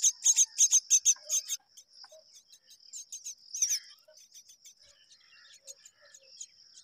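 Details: Mynas tending their babies together; a burst of loud rasping notes in the first seconds, then softer scattered chirps and a short louder rasp, above a steady high whine.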